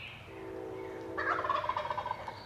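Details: Male wild turkey gobbling from its roost during a spring hunt in the last week of the season, remote public-land hills of Pennsylvania; a loud rapid rolling gobble of about one second follows a steady low droning tone, with faint songbirds behind.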